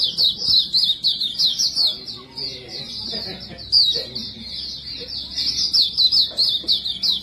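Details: White-eye, described as white-breasted, Buxtomi and Montanus types, singing in full as a lure for other birds: a high, fast, continuous twittering warble of slurred chirps. Faint low background murmur throughout.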